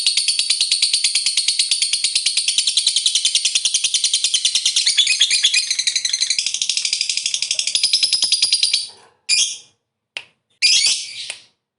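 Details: Lovebird's 'ngekek panjang', the extended chattering prized in fighter birds and played to spur others. A fast, piercing trill lasts about nine seconds, followed by a few short, shrill chirp bursts.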